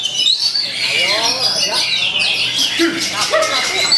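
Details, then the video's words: Magpie-robin copying the white-rumped shama in a long rolled phrase while facing rivals: fast high whistles and twitters over softer lower curving calls from other birds. "TEMBAKAN SEMI MURAI BATU, TANGKIS LAWAN KELUARKAN MATERI ROLL PANJANG"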